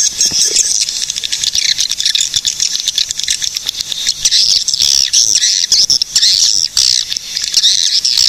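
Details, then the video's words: Massed swiftlet calling from Cilacap, Central Java, Indonesia: a shrill, seething chorus of fine buzzy trills and rapid clicks, rising and dipping in loudness with brief gaps between bursts. "SUARA BURUNG PANGGILAN WALET GACOR"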